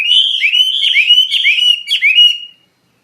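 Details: Brief burst from a wambi mandarin bird in full song: clear whistled notes, each sliding downward then swinging back up, strung closely together for about two and a half seconds.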